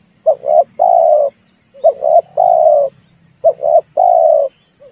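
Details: Trapping lure of red collared dove calls, played to make birds sing: three phrases, each two quick coos then a long flat coo, evenly spaced, over a low hum and a thin high whine.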